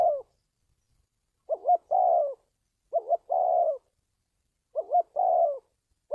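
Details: Low, mellow cooing of a spotted dove, played to lure wild birds: three phrases, each a quick two-part note and a longer sustained coo, separated by gaps of about a second.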